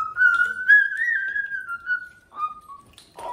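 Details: House cockatoo performing on a TV stand, holding one long, clear, slightly wavering whistle for about two seconds, then a shorter falling whistle and a brief rough note.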